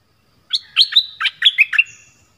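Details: Brief phrase of southern Orange-headed thrush song, used as a lure for wild birds and to train young birds: about seven quick, sharp chirps in a row over a held high whistle, ending with a thin fading note.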